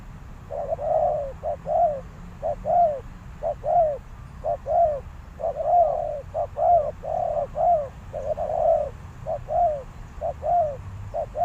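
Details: Decoy spotted dove cooing to attract wild doves: a long series of brief soft coos, paired and grouped with short gaps, fairly even in rhythm, with low background hum.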